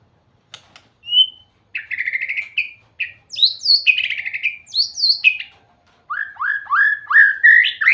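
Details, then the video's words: Beautiful singing from a white-rumped shama: a lone whistle, then chattering trills and looping slurred notes. It closes with a fast series of repeated rising whistles over faint background hum. "เสียงนกบินหลาดง ร้องเสียงเพราะ"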